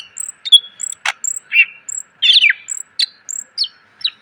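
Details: Greater green leafbird song for training cage birds, clear and rich in fill phrases: high thin whistles alternating with sharp chips and twisting slurred notes, delivered at a lively pace over a faint hum.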